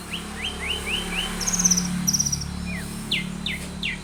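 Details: Lively Long-tailed shrike singing full variations as a lure to prompt other shrikes: five quick upslurred notes in a row, a high buzzy chatter, then several falling slurred notes over a low steady hum.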